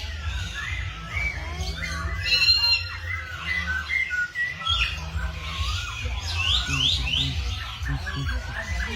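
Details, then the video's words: Birds calling and singing in the morning; dense, busy chatter of short whistled swoops and squawks, with a brief lull, then climbing sharp notes toward the end, over a low hum. "Tiếng Chim Hot Vào Buổi Sáng"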